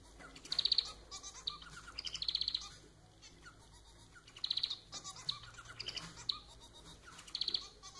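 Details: Domestic society finch (manon) kept as a pet, delivering a song of rasping, buzzy phrases with strong harmonics, four main bursts spaced about two seconds apart, softer chattering notes between them.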